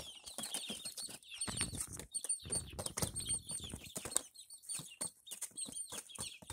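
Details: A brood of five Barred Plymouth Rock chicks keeps up rapid, piercing peeps, arched and falling in pitch, over constant low rustling and scratching.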